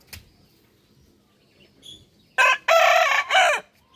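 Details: A rooster crows in the morning: one loud, harsh cock-a-doodle-doo in three joined parts, a short burst, a long held middle note and a falling end, after a quiet stretch with faint bird chirps.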